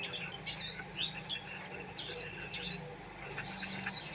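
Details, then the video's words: Oriental white-eye in energetic song, high sharp tweets and downward-sliding notes scattered irregularly, some with a brief buzzy edge, over a low steady background hum. "Burung pleci gacor"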